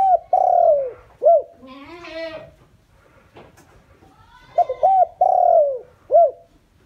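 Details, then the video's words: Decoy spotted dove (chim cu gáy mồi) cooing to draw in wild doves: low hollow coos in short groups, each a quick arched note and a longer drawn-out falling coo, broken midway by a brief harsher, noisy sound. "chim cu gáy mồi chuẩn gáy gọi kích bổi nhanh nổi hiệu quả"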